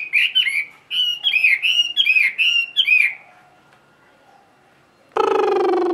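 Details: Tame Chinese hwamei kept in a cage, singing solo around midday in ngũ trường style, with six bright slurred whistles in quick succession, silence, then a sudden loud harsh burst.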